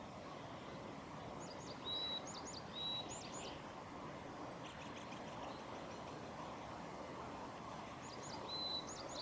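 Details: Varied tit song recorded at Gongenyama, 11 April 2021: thin, high whistled phrases, each with quick rising notes and a flat tone, two in close succession, a fainter one, then another after a gap, over constant background noise.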